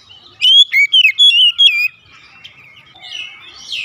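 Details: Morning phrase from an Oriental magpie-robin: five or six quick, loud whistled notes with downward slides, followed by quieter, thin whistles in the background.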